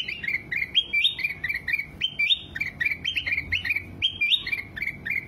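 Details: Training song of a ruby-throated bulbul for cage birds, with a steady stream of clear whistled phrases that step up then slide down, some doubled, repeated about twice a second over a soft low hum.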